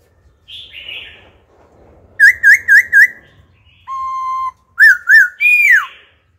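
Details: Old wild laughingthrush alternating wild-style phrases to train young birds: soft buzzy notes, four rapid looping whistles, a level whistle, two arched notes and a long downward slur, with faint low background hum.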